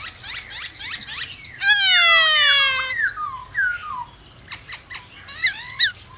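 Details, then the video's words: White-browed laughingthrush singing to provoke other birds to sing: short chirpy notes, then a loud, harsh, rasping squawk lasting over a second, followed by scattered whistled slurs and sharp chips. "Khướu bạc má hót kích bổi căng lửa hót cực sung/Tiếng khướu siêu nhạy bổi/mở lên là bổi hót ngay"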